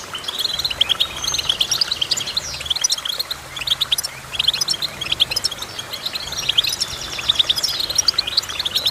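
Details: Goldfinch chirping in dense, sparkling bursts of high notes and rattly trills, with a brief pause and then more rapid twitter.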